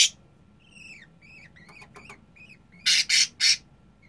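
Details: Restless 25-day-old budgerigar chick that keeps leaving the nest in its cage: soft short chirps sliding down, then three loud harsh rasping squawks in a row.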